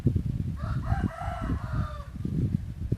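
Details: Hybrid junglefowl rooster of a yellow line crowing: one drawn-out, harmonically rich crow lasting over a second, slightly falling at its end, over constant low rumbling and thumping noise.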